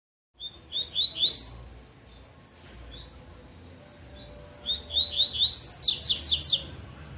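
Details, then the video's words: Double-collared seedeater singing in the bitola style: two bursts of sweet rising whistled notes building into rapid high trills, separated by a pause, with faint low background rumble. "Coleiro Tui Tui Bitola"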